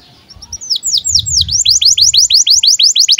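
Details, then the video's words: Breeding-condition canary chirping as a tutor for young birds: sweeping whistled notes starting slowly and quickening into a steady run of about three notes per second, with faint low background rumble. "KENARI GACOR Cuit CUIT BIRAHI UNTUK PANCINGAN & MASTERAN Kenari PAUD AGAR BUNYI DAN NGEROL"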